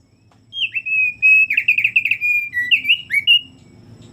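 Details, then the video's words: Thick-billed heleia singing vigorously: a sustained flowing run of slurred, undulating whistles for about three seconds, with rapid notes packed together, fading into a quiet low rumble. "gacor pol burung opyor paruh tebal"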